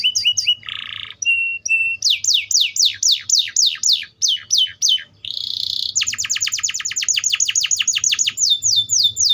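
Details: Singing Atlantic canary: short chips, a buzzy burst and a flat whistle, followed by rolling series of downslurred sweeps, another buzz, a long rapid trill and slower repeated sweeps at the end.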